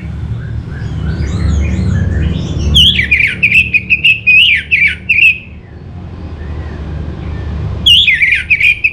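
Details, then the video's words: Orange-headed thrush singing: loud, rich warbled phrases with sharp up-and-down notes, a sustained burst of about two and a half seconds, a pause, then a new phrase starting; low rumbling background noise throughout. "Suara ANIS MERAH Cepat Gacor"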